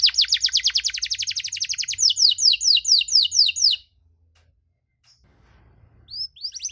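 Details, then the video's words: Canary giving a long cengkok song to provoke rival canaries: a dense fast trill of rising notes that slows into broad swept whistles, stops abruptly, then two faint sweeps after silence. "KENARI CENGKOK DURASI PANJANG!! AUTO MANCING EMOSI KENARI LAIN"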